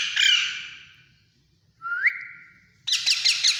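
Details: Alexandrine parakeet chicks being hand fed: a harsh squawk, then a short rising whistled note with a steady tone, and finally a burst of rough, rasping begging calls.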